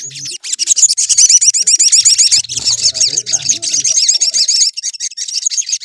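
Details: Continuous chattering song of a sooty-headed bulbul, played to stir other bulbuls to aggression: fast, high, tightly packed looping notes throughout, with faint low murmuring underneath.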